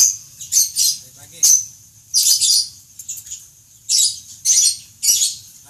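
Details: Lovebird raised for singing contests, heard in irregular bursts of harsh, high squeaky chatter separated by short pauses, with a low background hum throughout.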